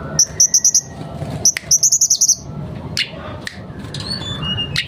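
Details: Mangrove blue flycatcher singing actively and unloading its repertoire: two rapid runs of sharp, high, clipped notes, five to seven each, followed by scattered thin rising whistles against low background noise.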